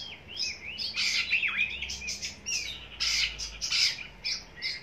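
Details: Oriental magpie-robin song serving as a lure before birds go up on the contest pole; continuous jumble of whistles, slurs and harsh squawky notes over a low hum.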